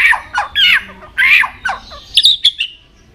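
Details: White-rumped shama singing in many voices, switching tones while repeatedly flicking its tail; loud harsh rasping notes alternate with brief pauses, ending in high thin whistles and chips.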